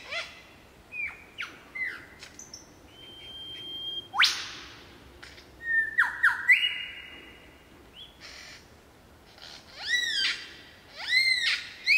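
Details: Superb lyrebird at Bartlett Olinda State Forest Reserve in varied song: sharp upslurred whips, sustained whistled notes, harsh bursts and rapid arched chirps, changing every second or two; no other sounds stand out.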